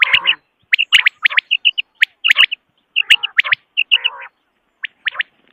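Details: Quail calling, a lure for hunting in Pakistan: rapid sharp triple notes and short high chirps run together, with a few lower buzzy bursts between them.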